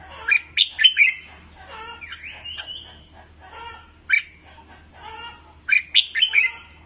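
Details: Red-whiskered bulbul training song. Bright whistled chirp clusters open and close the passage, with softer mixed chattering and warbling in between over a low hum.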